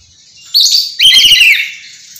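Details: Black-capped lory (Lorius lory), a captive bird screaming nonstop, gives two loud, harsh, grating screeches in quick succession, each about half a second long, with nothing else heard.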